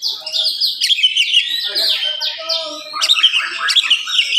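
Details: Oriental magpie-robin in full morning song at high speed, meant to agitate listening birds of its kind: bright whistled phrases, quick downward slurs and chattering bursts, pausing briefly before a fresh burst of sharp notes.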